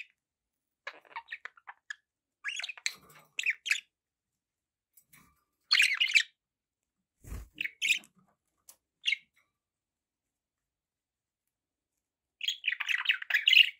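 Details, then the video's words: Sparse budgerigar chirps and brief scratchy chatter from pet birds, spread across long quiet gaps, with a single low thud midway and a louder warbled burst at the end. "budgie sounds"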